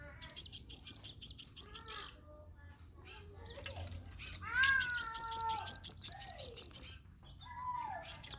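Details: Hot 'ngobra panas' song from a blue-crowned hanging parrot: repeated rapid series of shrill, very high notes, about ten per burst, with lower sliding whistles from another bird between bursts.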